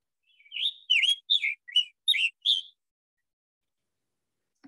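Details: A Scarlet Tanager in Iowa sings six hoarse, burry phrases in quick succession, like a robin with a sore throat, then falls silent before a faint click.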